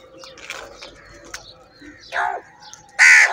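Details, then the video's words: A large flock of crows fights for food; soft background cawing builds to two loud, rough caws near the end, the last one harsh and strident. "Crow Bird Unity Anger And Sounds | Large Number Of Crows Ki Natural Awaaz And Fight For Food"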